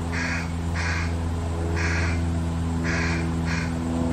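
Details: Fish crows, adults feeding one fledgling, give clipped nasal caw notes, five in a loose series roughly half a second apart, over a loud steady low-pitched hum.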